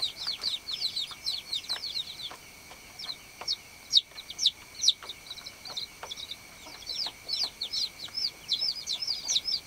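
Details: Baby chicks on a farm, peeping calls that a chick uses to call the hen: shrill, downslurred high chirps in uneven bursts, many overlapping, roughly two to three per second, with a steady high background tone.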